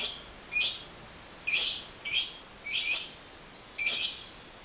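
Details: Lovebird in a lure recording of 'ngekek' calls: six harsh, high, scratchy chirps, each under half a second, spaced irregularly with short silences between.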